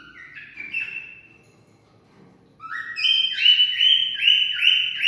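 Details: Cockatiel whistling, sounds meant to stimulate mating: soft high whistles at first, then after a quiet gap a loud run of rising, stepped whistled notes repeated in quick succession.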